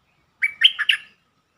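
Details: Bulbul song played as a lure to excite birds: one brisk phrase of four or five mellow, bubbling notes that alternate up and down, lasting under a second, in an otherwise quiet setting.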